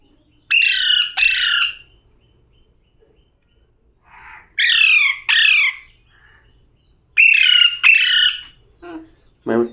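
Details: Repeated pairs of loud, grating parrot calls sweeping down in pitch, with softer short chatter and clicks between the pairs.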